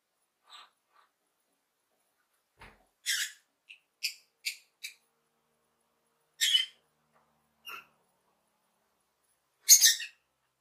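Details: A lovebird chirps happily in sparse, uneven bursts: sharp high squeaks and short harsh notes with long pauses between them and a loud screech near the end.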